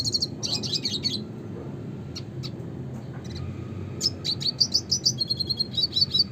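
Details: A red siskin (Spinus cucullatus) opens with a dense twittering burst, pauses with a few scattered chips, then launches into a fast run of evenly repeated high whistled notes and trills.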